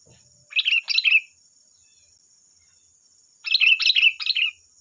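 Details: Sooty-headed bulbul lure song for untrained bulbuls: a short phrase of bubbly chirped notes, a pause of about two seconds, then a longer warbling phrase of several rolling notes; a faint constant high whine is present.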